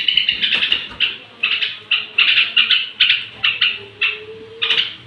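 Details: Straw-headed bulbul song used at bedtime to provoke other bulbuls; short bursts of rich warbled notes, each burst falling away, repeated roughly twice a second with brief pauses, over faint low background hum.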